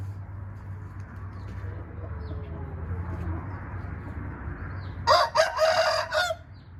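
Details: A red junglefowl breaks the quiet with a loud crow made of several harsh, choppy bursts, preceded by faint background chirps and a steady low hum.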